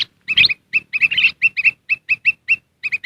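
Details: Black-crested bulbul lure call, used to summon wild birds: a harsh chattering burst followed by a lively run of bright, slightly upslurred chirps about every quarter second.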